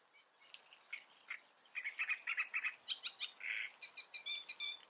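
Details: Great reed warbler (Acrocephalus arundinaceus) singing: a rapid run of harsh, grating chirps and croaky notes, starting sparse, then dense repeated phrases about three per second, ending in higher, squeakier notes.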